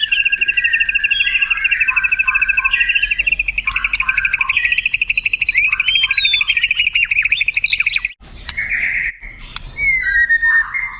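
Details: Used to train contest birds, white-rumped shama song with a long sustained rapid trill over buzzy undertones, then a pause and a few clear whistled slurs.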